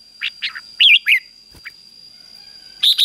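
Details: Red-whiskered bulbul in 'ché' fighting-song style, used to stir other birds into singing: scattered short chirps and two louder warbled, slurred notes, a long quiet gap with a faint click, then a final bright burst, with a constant high whine throughout.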